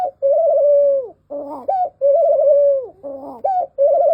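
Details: Barbary dove cooing in comparison with a Eurasian collared dove: a soft rolling coo held for about a second, then a short rising note, the pair repeated roughly every 1.7 seconds in a small room.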